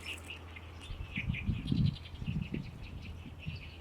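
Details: Great reed warbler singing in May in a reed colony on the shore of Lake Biwa, small but loud: a run of harsh, chattering syllables repeated in quick succession over a steady low rumble.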